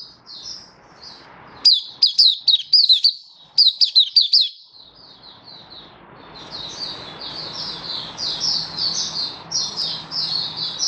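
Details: Oriental white-eye in open 'buka sing' song display, 24 February 2023: a spell of loud, bright, rapidly repeated chirps, followed by a long, softer high warble against steady broadband background noise.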